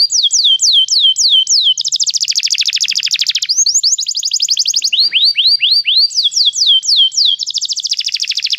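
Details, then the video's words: Canary singing for song training: falling whistled notes repeated quickly, a broad buzzy roll, upward sweeps and a return to the falling notes. The song is loud and clear throughout, with no other sounds. "cantar canário faz seu canário cantar"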